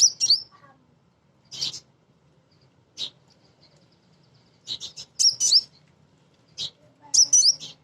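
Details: Female crimson sunbird calling for a male, a lively 'gacor' recording: bursts of very high, sharp chirps and short twittering phrases at irregular intervals, separated by quiet gaps, with a faint low hum beneath.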